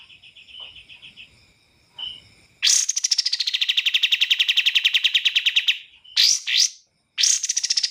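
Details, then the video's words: Soft buzzy notes lead into a loud, rapid pulsed trill from a bar-winged prinia, followed by sharp upslurred notes and another high trill. "MASTERAN BURUNG KAPAS TEMBAK"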